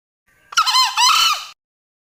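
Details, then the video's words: One crow from a male Green junglefowl, a raspy two-part call lasting about a second, the second half slightly higher and drawn out before cutting off abruptly, with silence around it. "Suara ayam hutan jantan || Green junglefowl"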